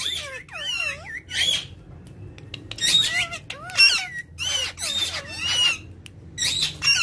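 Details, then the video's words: Ringneck parrot calling: a rapid series of raspy, strongly harmonic screeches and chattering notes with wavering pitch, grouped in bursts roughly every half second, over faint low-frequency room hum. "Ringneck parrot taking Natural Sound"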